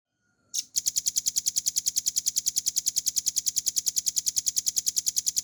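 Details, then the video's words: Velvet-fronted nuthatch, a cage bird, sings a clear, long-firing ngebren trill from a recording made to train songbirds. One loud note opens it, then a fast, very regular run of piercing high chips follows without a break for nearly five seconds. "RAMBATAN PARUH MERAH GACOR FULL NGEBREN NEMBAK PANJANG"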